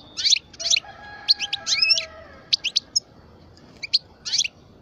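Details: Song of a 12-year-old parva European goldfinch: quick high twittering phrases and bright chirps, one rising slurred note in the middle, with a faint steady tone underneath.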